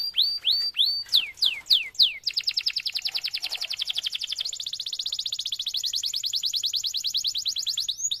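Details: Canary in long, non-stop song, used as a training lure for other canaries: a few loud downward-sweeping whistles, then a long fast trill of high, even notes that shifts to a slightly higher pitch midway.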